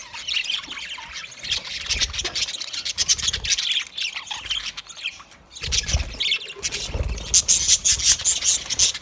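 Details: Budgie parrots chatter in steady high twitters and squawks, dip briefly, then return with a run of clear, evenly repeated whistled chirps near the end.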